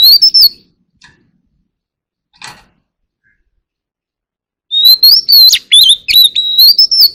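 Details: Oriental magpie-robin song calling the flock: a short whistled phrase, a long pause with faint ticks, then a rich run of rapid whistles and chattering notes over about two and a half seconds.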